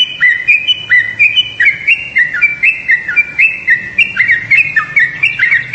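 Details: Lively bubbling calls of a yellow-vented bulbul: short slurred whistles sliding down then up, strung together in quick, nearly continuous series.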